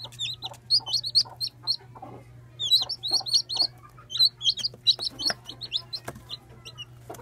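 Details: Peeps from one-day-old chicks, sharp falling notes tumbling over each other in dense runs, plus scattered lower clicks and a constant background hum.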